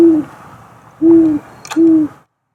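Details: A great horned owl (Bubo virginianus) perched on a house roof at night gives three deep, steady hoots, each under half a second and about a second apart, with a brief sharp click before the last. It often hoots all night.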